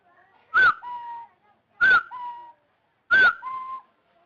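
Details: Three two-note whistles from a rufous-throated partridge played for trapping: a loud arched opening note and a softer, longer, level lower note, spaced roughly 1.3 seconds apart.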